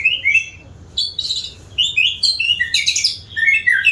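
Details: White-rumped shama, a diligent singer, pouring out a dense, varied song of bright high whistles, trills and chattering phrases with only short pauses.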